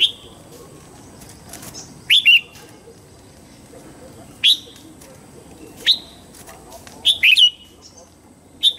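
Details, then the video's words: Red-whiskered bulbul morning song, meant for training young white-cheeked birds. Short, sharp chirped whistles come singly or in quick pairs, spaced irregularly every one to two seconds, against a quiet background. "Luyện giọng chào mào hót sáng hay nhất để luyện má trắng"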